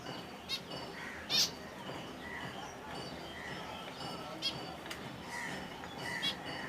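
A finch gives brief, high, sharp chirps and a few softer twittering notes, spaced a second or more apart, over a steady hiss of background noise.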